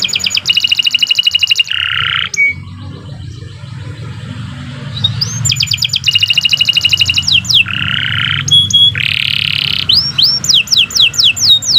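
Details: Long, energetic canary song used to tutor other birds: fast pulsed trills alternate with buzzy lower phrases and short whistles, trills returning every few seconds, with a soft rumbling background.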